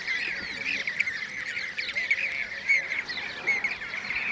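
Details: Blue-cheeked bee-eaters (Merops persicus) recorded at Şanlıurfa, Turkey, in 2016: a dense stream of overlapping rolling, trilled calls. Faint high-pitched ticking chirps from other birds sound above them.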